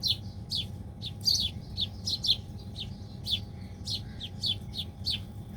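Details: Several birds feed near tree roots, calling in sharp, high, downward-slurred chirps about twice a second, some doubled, above a constant low droning background.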